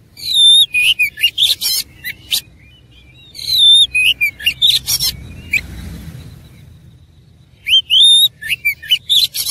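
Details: Oriental magpie-robin in fighting song, three bursts of loud rising whistles mixed with harsh rasping chatter, separated by a quieter gap of faint murmur.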